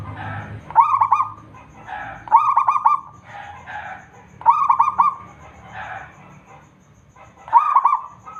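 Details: Prolific local zebra dove, used to prompt other doves to sing, delivering five rolling coo phrases, each a burst of rapid soft notes, repeated every one to two seconds.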